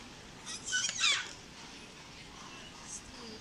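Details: A wild parakeet building a nest in a palm tree in Sevilla, Spain, gives a brief burst of harsh, grating screeches lasting under a second, then falls quiet against a faint background hiss.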